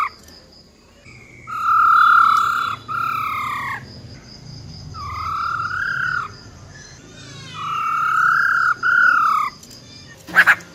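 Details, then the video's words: A female silver-eared laughingthrush gives wild-type song to fire up males: several drawn-out whistles, each gently arched or wavering, spaced by pauses, with a short sharp click at the very end. "Tiếng Chim Khướu || Khưới Mái Bạc Má RO RO || Giọng Rừng Hót Chuẩn - Kích Trống Lên Lửa Cực Nhanh"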